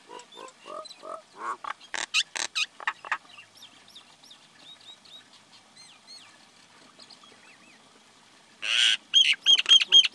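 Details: Common myna calling: a varied run of harsh, clipped notes and rasping squawks, then softer whistled chirps, ending in a burst of loud, scratchy, repeated notes.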